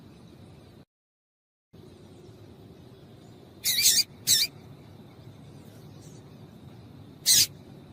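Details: Papa-capim seedeater female giving short piercing chips meant to prompt a male's song: two notes close together, then a lone chip a few seconds later, with faint hiss between.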